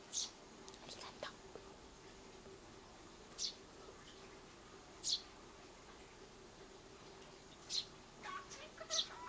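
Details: Begging Eurasian tree sparrow chick asking for food: scattered short, high-pitched chirps at irregular gaps of one to three seconds, with soft clicks and rustling near the start.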